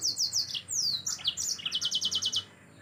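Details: Yellow-fronted canary singing as a tutor for other cage birds: a dense burst of high slurred whistles and sweeps, ending in a fast, evenly repeated trill.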